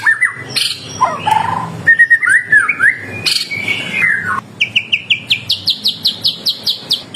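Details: White-rumped shama singing strongly, used as a lure so that other shamas answer at once. It gives varied whistles and warbled slurs, then a string of about a dozen sharp, evenly spaced high notes.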